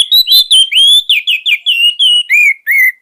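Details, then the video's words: Caged orange-headed thrush (anis merah) kept as a song master for young birds: rapid harsh-edged notes give way to longer clear slurred whistles, ending in two drawn-out downward whistles. "KICAUAN SANGAR ANIS MERAH COCOK UNTUK MASTERAN"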